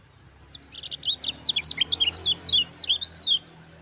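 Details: Lemon-bellied white-eye, used as master song to provoke singing, delivering a quick, dense series of high, bright chirping notes, each sharply bent up or down, over roughly three seconds.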